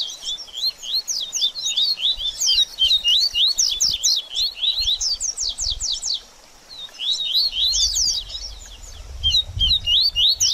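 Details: Baderninha-style song of a double-collared seedeater, played to warm up a bird after its moult: long fast runs of sharp, high, twisting notes, one short silence midway, with faint low rumble near the end.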